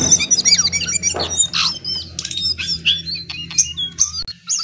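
A lesser shortwing pours out a fast, jumbled stream of high whistles, sharp chirps and twittering slurs without pause, over a faint low hum.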